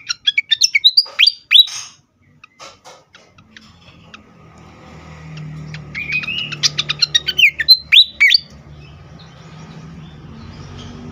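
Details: Agitated fantail song meant for luring and stirring up birds: bursts of loud, rapid chips and swooping whistles come in two bouts separated by quieter scattered ticks, over a low steady hum.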